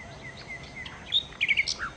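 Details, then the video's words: Nightingale singing: thin whistled notes at first, then a quick cluster of bright, clipped chirps near the end against a quiet background. "kicau Sikata Londo( Nightingale Birds )"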